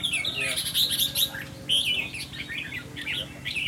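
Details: Red-whiskered bulbul being tested for temperament, producing energetic warbled whistles and chirps in uneven bursts, with a low murmur of voices behind.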